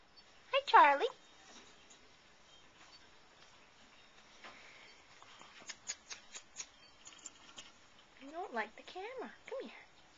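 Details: A male cockatiel kept in a cage gives warbling, voice-like chatter while flirting with his reflection in a bowl, with light tapping in between.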